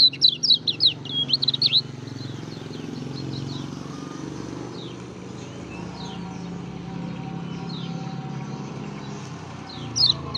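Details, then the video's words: Lemon-bellied white-eye (kecial kuning), linked to Lombok, singing actively: a quick burst of thin, high chirps and twitters in the first two seconds. Scattered faint notes follow over a steady low rumble of traffic. "Burung Kecial Kuning Gacor"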